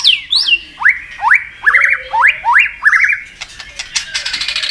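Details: Fired-up White-rumped shama in contest singing, a varied forest-style song: high downslurred whistles, then a run of five similar rising, trilled phrases about half a second apart, ending in rapid high chips.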